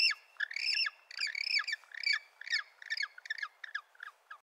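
Penguins give harsh, nasal squawks in quick bursts, about two a second, rising then falling, growing shorter and choppier toward the end.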